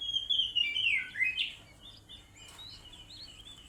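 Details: Oriental magpie-robin being coaxed into singing: a short run of sweet, slurred whistled phrases that slide downward and grow louder, then trail off into fainter, scattered high warbles.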